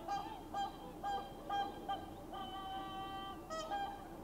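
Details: A flock of swans roosting on a lagoon for the winter and setting off at early morning to feed in rice fields nearby, filmed on a Sony RX10 IV; resonant bugling honks repeat about twice a second, then merge into longer drawn-out notes.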